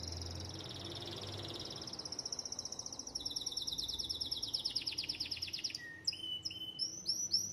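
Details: A Belgian canary sings a long, rolling song: fast, even trills that rise and fall, then shift into sharper whistled and chipping notes near the end, over a steady low background hum.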